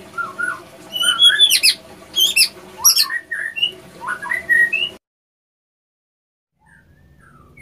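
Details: White-rumped shama song, with a female used to stir a male into breeding condition: varied whistled phrases, rising and falling, mixed with sharp high notes for five seconds, then sudden silence and a faint return.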